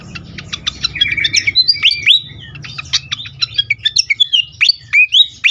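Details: Agitated fantail, used to lure and stimulate birds, delivers an almost continuous string of sharp chips and upward-sweeping whistles that comes in fast bursts throughout.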